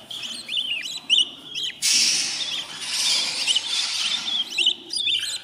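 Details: Baby budgerigars in a new nest, fourteen days old, make quick chirps, then a long loud raspy hissing cry of about three seconds, then return to chirping.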